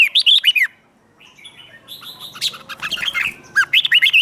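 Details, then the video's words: Red-whiskered bulbul's fighting song, 'hót đấu', for voice training: an opening flurry of rapid whistled slurs, a quieter stretch of scratchy twittering, then another quick run of bright looping whistles. "Kích Chào Mào Hót Ché |Kích chào mào hót đấu"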